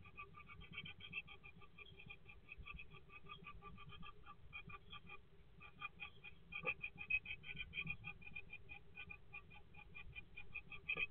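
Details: Great tit at a nesting box on 21 February 2024 gives a steady run of short, high chipping notes, about two a second, over a low muffled rumble.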